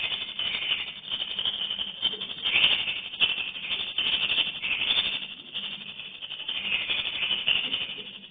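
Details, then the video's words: Colony of swiftlets entering a nesting house: dense, continuous high chattering and rattling twitters, rising and falling in waves of loudness, with no pauses. "Detik detik Koloni Burung Walet masuk kedalam rbw"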